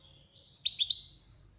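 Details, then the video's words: European goldfinch song for training a bird to learn it: a short burst of three or four bright, twittering high notes lasting about half a second, over quiet low background hum. "غناء الحسون للتعليم"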